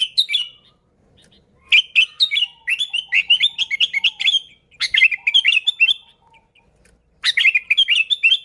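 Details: Sooty-headed bulbul (kutilang) sound for luring bulbuls: long, busy sequences of bright bubbling chirps and warbled notes, interrupted by about a one-second pause, loud and close.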